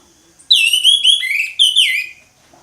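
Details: Orange-headed thrush in ngeplong song, delivering two ringing whistled bursts made of quick, downward-slurred notes, the second after a short pause, in otherwise quiet surroundings.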